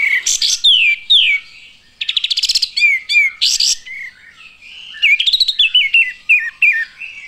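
Olive-winged bulbul giving bright, bubbly whistled phrases with falling slurs and quick chattering note bursts, delivered in short irregular bouts.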